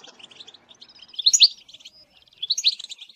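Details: Goldfinch batbata used to attract birds for trapping: soft rapid twitters building into two loud bursts of bright buzzy, tinkling phrases, each about half a second long, over a very quiet background.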